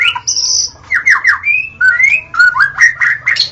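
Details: White-rumped shama dawn song used for luring the species: a high buzzy note, then a run of downslurred whistles, a rising whistle and several mellow warbled phrases.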